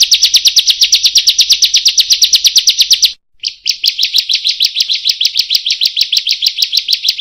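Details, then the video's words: Bar-winged prinia (ciblek), used as a lure call to prompt singing for song-training, gives fast, dry, buzzy high-pitched notes in a steady rapid series, briefly pausing, then continuing at the same quick pace. "Pancingan Suara Ciblek Buka Paruh"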